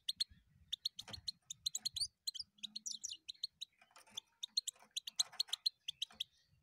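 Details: Continuous goldfinch singing: dense, bubbling twitter of high sweet notes interspersed with rasping buzzy trills, rhythm steady throughout, with faint low thuds in the background.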